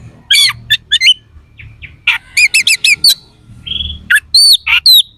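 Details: Oriental magpie-robin contest bird pouring out coarse 'isian kasar' song for rousing rival kacer: clusters of looping whistled notes, harsh chips and one long level whistle, with soft low rumble in the background.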